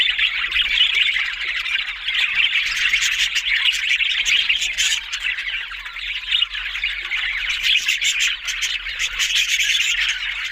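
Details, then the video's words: Long steady chorus of budgerigars: dense scratchy warbling and chirping with no gaps, many voices overlapping, over a faint constant low hum. "Beautiful Talking Budgies Australian Parrot Sounds"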